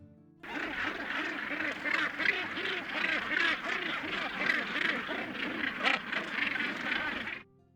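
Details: A dense, unbroken chorus of harsh, grating Northern Gannet calls from a huge breeding colony of tens of thousands of pairs on Bonaventure Island, many birds rasping over one another with no pause.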